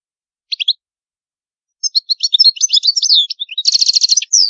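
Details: A European goldfinch delivers the antique Palermo Sicilian song in clean sound: an opening triple chirp, a pause, then rapid liquid twittering that runs into a dense buzzing trill and a final slurred note.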